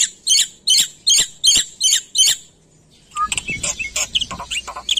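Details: Lively full-repertoire song of a black-winged myna, a bird endemic to Indonesia: six loud, harsh, buzzy chirps in steady rhythm, a brief gap, then a rapid jumble of varied squeaks and twitters.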